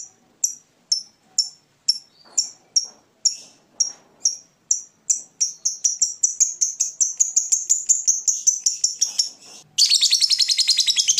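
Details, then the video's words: Caged fighter lovebird in Indonesia starts with sharp high chirps about half a second apart that speed up into a continuous ngekek trill, ending in a dense buzzy chatter meant to set rival birds singing. "Lovebird Fighter ngetik ngekek panjang - Bikin musuh ikut bunyi"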